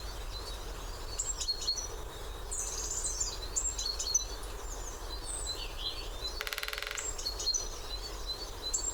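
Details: Great spotted woodpecker drumming on its favourite drumming post: a single rapid, even roll of knocks lasting about half a second near the end, over steady high chirps and whistles of other small birds.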